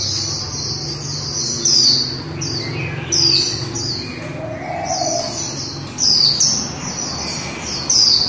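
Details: High thin warbling from a female white-eye in the líu style, loud sweeping phrases recurring about every one and a half to two seconds, linked by quieter rapid twittering.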